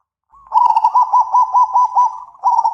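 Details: Zebra dove calling back and forth with a loud voice: a long run of about eight quick, evenly spaced cooing notes at one mid pitch, with a brief pause before a fresh burst starts at the end.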